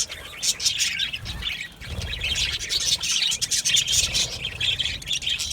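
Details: Aviary flock of budgerigars chirping together: busy, high, twittering chatter with short squeaky notes overlapping continuously, louder after the second second, light low-frequency hum behind.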